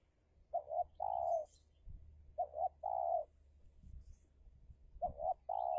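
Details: Spotted dove decoy in a contest with a wild dove in Indonesia gives three phrases in a row, each of two clipped coos and one sustained low note, spaced about two seconds apart, with faint thumps between.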